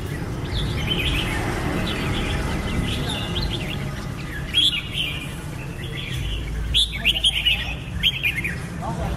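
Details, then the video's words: Red-whiskered bulbul singing: fluid warbled whistles, with louder sharp chirping notes toward the end, against a steady low background hum. "Birds Red-whiskered bulbul (Pycnonotus jocosus) Chants Extreme Peak"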